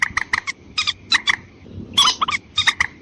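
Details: White-breasted waterhen lure call intended to attract females and males: brief groups of short, nasal, harsh notes, plus a louder, rougher squawk about two seconds in, over low background noise.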